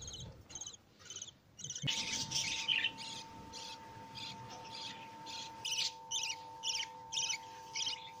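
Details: Lovebird chicks just hatched and fed by their mother give high, scratchy cheeps, scattered at first, then a loud cluster and regular pulses about twice a second, with an electrical hum behind.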